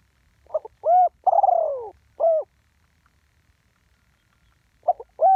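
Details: Spotted dove recorded live, giving the "ต่อดิน 1 กุก" call style: a short double note, a clipped coo, a long slurred descending coo and a final short coo, then a pause before the phrase starts again. The background is quiet.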